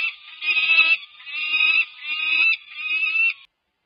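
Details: Near-fledging peregrine falcon chicks, 5+ weeks old, at a UC Berkeley nest on 18 May 2023, clamouring during a feeding by the adult female: rough, nasal wails in three long bursts about a second each, separated by short gaps.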